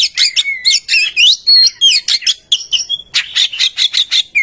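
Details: Oriental magpie-robin song used to lure other birds into singing: fast scratchy chatter interlaced with brief slurred whistles and a flat whistled note, then a quick run of harsh repeated bursts.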